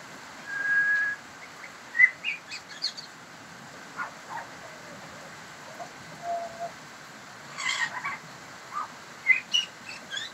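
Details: Pied butcherbird singing: one loud, pure whistled note held for about half a second, followed by scattered, quieter fluty notes and short chirps. Sharp, broadband clicky sounds are also heard around the middle and end.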